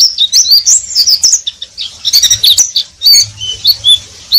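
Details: Oriental white-eye singing in the busy ngeriwik twitter: quick high chirps and rising-falling squeaks in dense runs, a brief pause near the middle, then thinner whistled notes, with a soft low hum behind.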